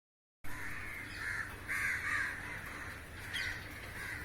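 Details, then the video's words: A large flock of crows lined up on a rooftop and flying while catching insects in the air; harsh, drawn-out caws overlap after a brief silence, several callers at once. "烏鴉叫聲音效 😱屋頂上排成一列好嚇人! Crows Calling and Feeding"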